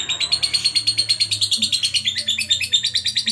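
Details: Lovebird in active, lively song, recorded as a training song for other birds: rapid high chirps in a steady run, about three per second, with a faint low hum underneath.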